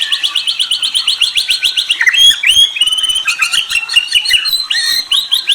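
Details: White-rumped shama delivering a rapid, high trill of repeated notes, then a jumble of bright whistles and chattering phrases.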